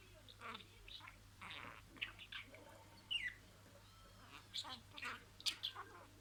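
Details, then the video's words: Budgerigar imitating words: soft, scattered chattering syllables and a few thin whistled notes, rising in activity toward the end with sharp squeaks, fairly quiet over a constant low hum. "MUHABBETKUŞU KONUŞMA SESİ"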